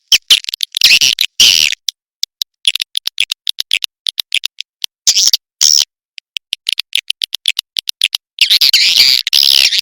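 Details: Swiftlets from a sound made for Indonesian swiftlet farmers. Harsh, high chirps and quick clicks come in uneven bursts, ending in a longer run of loud twittering.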